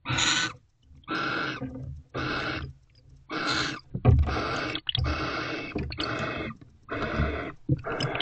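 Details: Owls mating inside a nest box early on a December morning: ragged hissing screeches overlapping and running together, with low thumping and shuffling rumbles beneath the calls.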